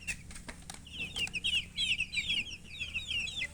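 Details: Chicks peeping in rapid overlapping series, high shrill notes quickening and crowding together in the second half, with a few soft knocks early on.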